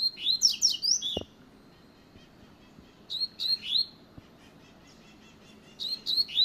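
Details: Fast 'luxo' song of a double-collared seedeater: quick high whistled slurs tumbling downward in bright phrases, repeated after pauses of about two seconds, with a single sharp knock and low background hiss.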